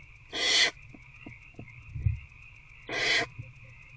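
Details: Barn owl nest box at night on 19 February 2024, adult feeding an older owlet one on one: two rasping hiss bursts about two and a half seconds apart, with soft scratchy shuffling between them and a constant high hum behind.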